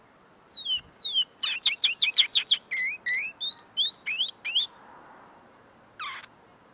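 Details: A tame common linnet, still polishing its notes, sings right in front of the listener: a quick run of high twittering notes, many sliding downward, about twenty in four seconds, then a pause and one final buzzy note.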